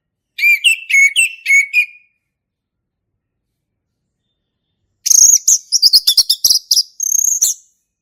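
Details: Male orange-headed thrush in energetic song: a string of short, even whistled notes, then after a pause a high, rapid, twittering phrase of varied mimic-like notes.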